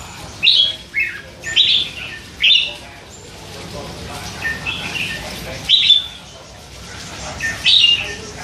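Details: Hand-reared red-whiskered bulbul, three months old, caged, in near-constant chatter. Three loud, bright warbled chirps in quick succession, then quieter scratchy babbling, ending with two more ringing bursts.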